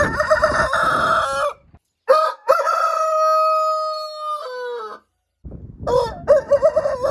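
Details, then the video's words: Roosters crowing: a harmonic crow ends after about one and a half seconds, a long drawn-out crow with a falling tail follows, and a third begins near the end. "Singing roosters | Roosters crow"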